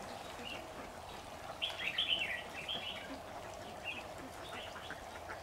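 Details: Red-whiskered bulbul serving as a trap lure bird in an old cage in a jujube tree, 26 September 2019. One loud, rapid warbled burst is followed by softer scattered whistled notes against a steady low hum.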